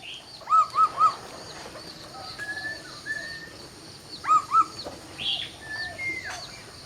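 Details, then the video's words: Laughingthrush singing at dawn: short clear whistled notes in a quick group of three, a few thin higher whistles in the middle, then a pair of similar notes and scattered high whistles against a quiet hiss. "Chào Bình Minh | Nghe Tiếng Chim Khướu Hót Cực Hay"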